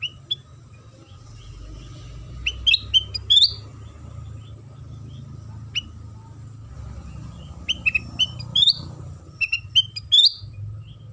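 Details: Sooty-headed bulbul lure song meant to provoke other bulbuls into singing. Scattered bright, upward-sweeping whistled notes in small clusters are separated by quiet gaps, with a steady low hum and faint tone behind.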